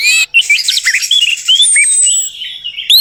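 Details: Orange-headed thrush song meant to prompt a quiet bird to sing: a short burst of high notes, then tumbling warbled phrases and one long descending whistle that trails off into softer twittering.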